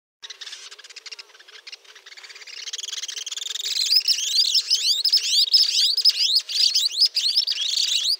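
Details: White-throated Jacamar in Peru: a fast, excited stream of thin, high squeaky notes, sharply slurred, building in strength and overlapping as if from more than one bird.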